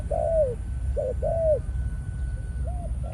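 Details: A male spotted dove used as a decoy, of Malaysian stock, cooing in breeding mode: two long, slightly falling hoarse coos split by a shorter note, then softer arched notes, over low background rumble.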